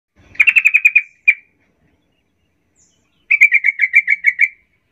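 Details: Sooty-headed bulbul lure song (pancingan trucukan), used to provoke other bulbuls into singing: two bursts of about eight rapid, bright, evenly repeated chirps, split by a quiet gap of two seconds.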